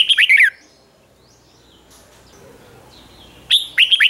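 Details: Caged red-whiskered bulbul in morning song training, singing the fired-up 'ché' style: a brief burst of bright warbled notes at the start, a long quiet gap, then another short lively phrase at the end.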